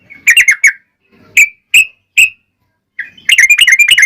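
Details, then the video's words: Yellow-vented bulbul, lively and combative, singing to provoke other bulbuls to reply: a brief triple chirp, three spaced sharp notes, then a fast bubbly rattle. "trucukan gacor TARUNG ROPEL PANJANG pancingan trucukan agar bunyi"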